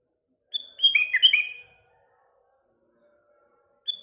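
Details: Sooty-headed bulbul in the morning giving a single bubbly, warbled phrase of several quick slurred notes, followed after a pause by the start of another, over faint soft background murmur.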